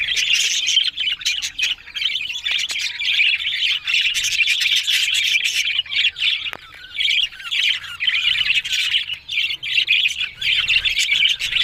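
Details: Pet budgerigars chirp and warble continuously, a bright, scratchy, overlapping chatter with intermittent brief pauses toward the end.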